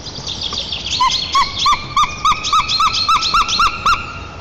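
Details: White-tailed eagle pair at their nest in Lower Kama National Park, Tatarstan, on 7 April 2024, greeting each other with song after the female's return. About eleven ringing, yelping notes repeat steadily, roughly three per second, over faint high chirping of small birds.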